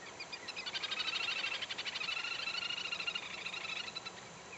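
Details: Little grebe calling with a fast, high whinnying trill of tightly pulsed notes, swelling then slowly fading over about three and a half seconds, above a constant soft background hiss.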